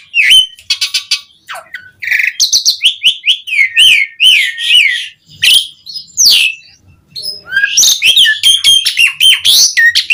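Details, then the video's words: Asian pied starling song, given to call other starlings: busy mix of whistled slurs, buzzy notes and rapid clicking bursts, with short gaps between phrases. "Suara Jalak Suren Gacor Memanggil Burung Jalak Jarang Bunyi Seketika Nyaut Ikut Gacor Full Isian"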